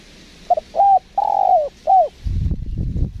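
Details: Spotted dove calling back to a lure bird where trappers set up in wind; a four-part low coo phrase with a drawn-out falling middle note, followed by rumbling wind noise.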